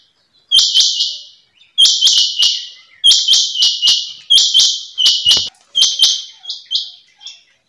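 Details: Female rain quail calling in longer bursts of three to five rapid, tinny, buzzy notes. The bursts repeat steadily, with the last few notes growing softer.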